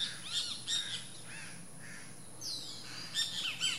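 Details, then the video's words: Calls of a least grebe at the nest, given as quick high chirps in small bursts, a quieter gap midway, then more sharp, clipped squeaky notes toward the end. "least grebe"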